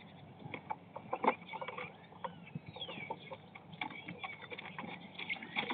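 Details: Common starlings quarrelling over a nest site on a snowy 22 March 2019, giving a dense run of harsh clicks and rattles mixed with thin whistled slides, the chatter rising and falling throughout.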